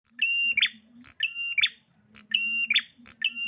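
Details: Agitated prinia singing: a steady high whistled note, then a rough buzzy burst and a sharp high click, the phrase repeated about once a second, over a faint low hum.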